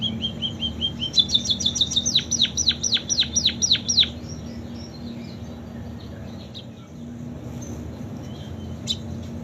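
A munia sings high, thin rapid notes, then a run of sharp downslurred whistles about four a second, in canary style. A low steady hum continues underneath.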